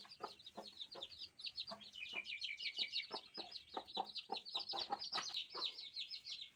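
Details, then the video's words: Chorus of newborn chicks giving shrill, rapid cheeps, many birds calling at once in quick overlapping bursts, with faint low thuds underneath. "Sounds of chicks / New born chicks"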